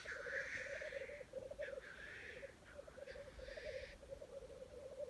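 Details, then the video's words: Black grouse lekking in Wales, early 2020: low bubbling, rapidly pulsed cooing runs continuously, topped by a long opening hiss followed by several shorter rasping sneezes. "Black Grouse Lekking"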